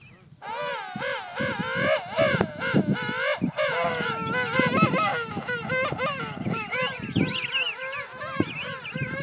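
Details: King penguin parents feeding their chick, with loud, wavering, trumpet-like calls in quick warbling bursts, several voices overlapping almost continuously, over a faint background rumble.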